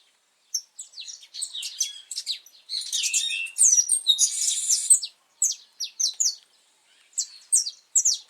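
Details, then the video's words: Brown-plumaged pardinho saffron finch singing hard outdoors in Brazil, recorded 8 November 2024 on a cold, rainy day before nesting: high chirps build into a dense buzzy trill, followed by spaced pairs of sharp whistled notes. "Canário da terra cantando muito na natureza"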